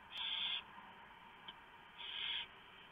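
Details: Barn owls feeding owlets at 3:59 AM, 3 November 2015, after the male drops off a big mouse; two drawn-out hissing screeches roughly one and a half seconds apart, with a soft click between.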